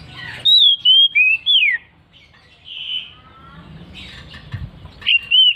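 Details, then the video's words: Oriental magpie-robin in loud, persistent ngeplong singing: four ringing whistles sliding up and down, then a pause with soft, thin notes, and finally two more strong whistled notes. Faint low background rumble. "KACER NGEPLONG NGOTOT"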